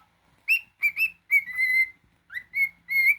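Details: Pet cockatiel, male, indoors gives loud, clear whistles, short upslurred notes and one longer steady tone, repeated roughly every half second.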